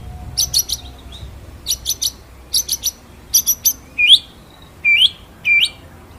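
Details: White-rumped shama singing a rolling 'ngeroll nembak' master song for training other birds: clusters of three sharp high chips, then rising whistled upslurs repeated about every second, over a faint low hum.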